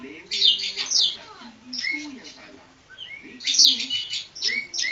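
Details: Oriental magpie-robin (kacer poci) from Java singing in short bursts separated by pauses: bright scratchy whistles and upslurred notes, with softer low warbling underneath.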